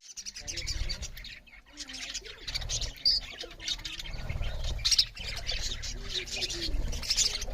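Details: Budgerigars chirping as they eat; steady, fairly soft high warbling chatter with scattered sharper chirps, set against a constant low hum.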